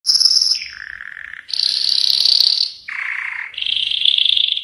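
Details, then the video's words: Yellow canary singing a varied song of sustained buzzy trills and rolls, shifting between high and lower pitched tours, each held about one to one and a half seconds, in a quiet setting. "Chant canari jaune magnifique.Magnífico canto del canario amarillo. Muhteşem sarı kanarya şarkısı."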